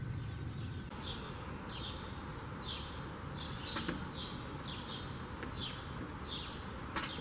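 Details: House sparrows in a backyard on 25 June 2020 give short, high, downward-slurred chirps, about one or two each second, over a steady low rumble of traffic-like background noise.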